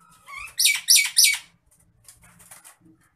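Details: Agitated Nias hill myna: a loud burst of three rapid, harsh, rasping notes after a few soft whistled rising sounds, then faint chatter in a quiet setting.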